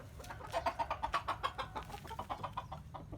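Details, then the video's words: A chicken gives a quick run of mid-pitched clucks, about seven or eight a second, slowing a little toward the end, over a low background rumble, amid laughter and music. "The sound of chicken crowing in the morning"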